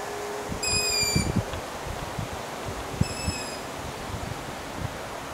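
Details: Young long-eared owls (Asio otus) begging in Latvia on 6 July 2018: two thin, squeaky, drawn-out calls like a creaking gate, about two and a half seconds apart, over soft rustling and low thumps.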